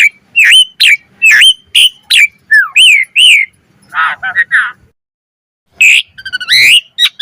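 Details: Asian pied starling (jalak suren) giving a varied song used to encourage other starlings to sing: repeated upslurred whistles, a run of harsh nasal chatter notes, a pause, then squeaky rising calls.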